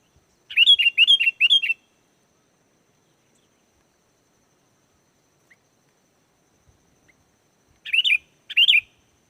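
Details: Lively sooty-headed bulbul song played to draw wild bulbuls into answering: a quick burst of four bubbly, warbled whistles, a long silence, then two more short whistled phrases near the end.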